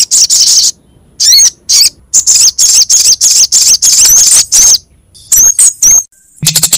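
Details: Sogok ontong and kemade calling on a lure track: clipped high-pitched chips in irregular runs, interspersed with brief whistled slurs near the end and short gaps.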